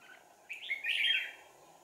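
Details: Red-whiskered bulbul used as a decoy for trapping, 4 April 2019, delivering one short, rich warbling phrase that rises then slides down, with low background hum.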